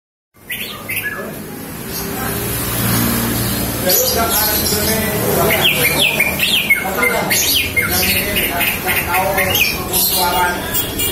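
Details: Female green leafbird calling to lure males into showing themselves. Quick varied chirps, upswept whistles and warbled notes tumble out in rapid bursts, several per second, over a constant low hum.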